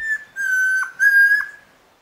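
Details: At Alto San Miguel, a Chestnut-crowned antpitta, known locally as Tororoi Comprapán, sings a brief faint whistle followed by two sustained, steady whistled notes of equal pitch, the second slightly shorter and ending with a dip. No other sounds.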